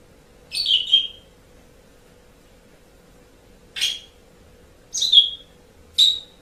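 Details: Asian pied starling, recorded for training pet songbirds: four short harsh whistled notes, the first doubled, separated by gaps of about one to three seconds, with a faint low hum behind.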